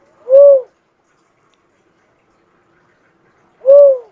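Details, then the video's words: Cuckoo-dove giving two loud, low, arched hooting coos about three seconds apart, each note rising then falling, with silence between and no other sounds. "suara burung uncal asli"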